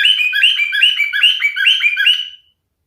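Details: Male cockatiel in full song: continuous quick warbling phrases, high chirps dropping to lower notes in a repeating pattern, ending cleanly after about two and a half seconds.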